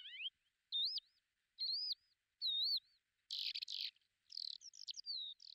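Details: Lesser short-toed lark recorded at Belchite, Zaragoza, Spain, in July 2019 gives thin, wavering whistled notes, then a rapid jumble of buzzy, twittering phrases, all high-pitched with nothing else heard.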